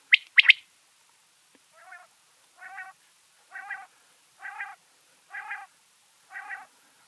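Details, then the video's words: Female common quail giving six nasal, harmonic notes at a steady pace of about one every 0.9 seconds, preceded by two sharp high clicks; otherwise quiet background. "female quail sound/common quail sound/quail sound/common quail female quail sound"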